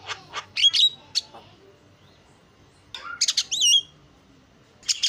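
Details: Starling lure song heard in short bursts: a few sharp squawks and a whistled note, about two seconds of quiet, then a wavering whistled trill and scratchy chatter.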